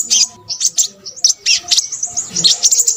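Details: Crimson sunbird giving spaced bursts of high, sharp chirps and short twittering phrases separated by brief silences, with faint low background noise underneath.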